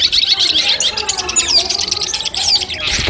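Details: Cendet (long-tailed shrike) training sounds used as a pre-contest mental test. Continuous rapid high chatter with a few clear whistled slides, ending in a brief low thump.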